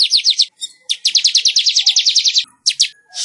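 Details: Weaver song used as a training recording to make caged weavers sing: rapid bursts of high, sharp chirping notes in fast trilled series, broken by short pauses, then a few separate louder chirps.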